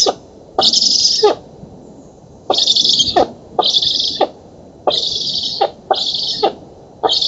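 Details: Black stork chicks in a Polish oak nest during a feeding on 11 August 2017 produce six wheezing hisses, a longer pause after the first, and bill-like clicks bracketing each burst.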